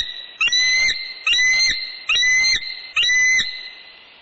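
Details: Bald eagle at its northeast Florida nest, 6 pm on 20 January 2019, amid disturbance from a newcomer adult; four evenly spaced, piercing whistled notes, each held about half a second, roughly every 0.85 seconds.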